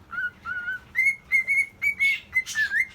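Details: Caged male cockatiel whistling while courting a female: a series of clear, pure whistled notes, first two lower wavering tones, then several steady higher whistles repeated about twice per second, ending with a short rising note.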